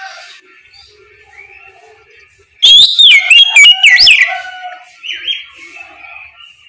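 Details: Oriental magpie-robin (kacer) giving its ngeplong song in the morning as a lure for other magpie-robins to respond; one loud burst of sweeping, looping whistles lasts about a second and a half, followed by softer chirps and quiet.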